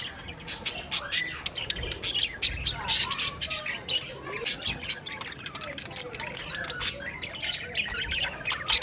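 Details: Budgerigars chatter in a continuous squeaky babble, mixing harsh squawks with curved, warbled notes that sound almost like mumbled talk.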